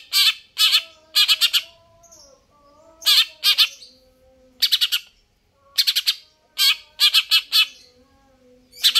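A greater green leafbird sings harsh, scratchy bursts in quick clusters of two to four, repeated every second or so, over faint thin whistles.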